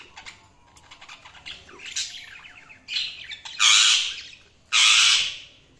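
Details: A tame cockatiel gives soft, quick twittering chirps, then two loud, harsh, drawn-out screeches about a second apart.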